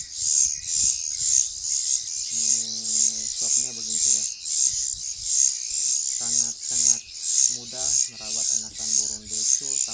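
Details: Young pied bushchat chick being hand-fed, giving a rapid series of high, harsh hissing begging calls, about two per second, under a man speaking Indonesian.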